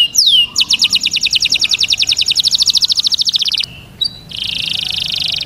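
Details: Canary song for mating, with a brief downward whistle, then a long rapid trill of bright repeated notes for three seconds, a short pause, and a sustained buzzy roll.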